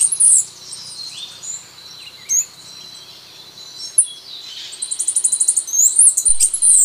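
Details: Song of a Costa Rican brushfinch: high, sharp notes and short slurred whistles, then a fast, even, high trill near the end. Faint low background noise runs underneath.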